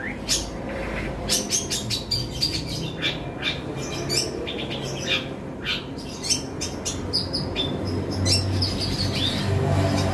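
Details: Long-tailed shrike (cendet) delivering an isian greja tarung song packed with fighting-sparrow mimicry: dense, rapid, irregular chirps and chattering notes, about four per second, over a constant low rumble.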